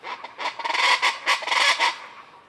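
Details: Loud, social Common chachalacas in the jungle canopy of the Sierra Madre, Banderas Bay, heard in the morning: a rapid run of harsh, ratcheting squawks, about eight strong bursts in two seconds, fading at the end.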